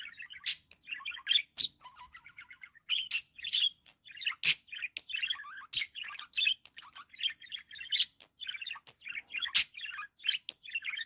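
A budgerigar chatters in a busy stream of high chirps, warbles and sharp clicks.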